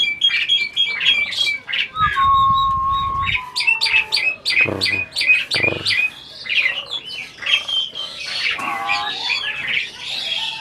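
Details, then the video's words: Captive adult Asian pied starling that seems to talk, producing a long level whistle, rapid chattering notes and rasping squawks in irregular succession, nearly continuous throughout. "burung jalak ini malah ngajak ngomong"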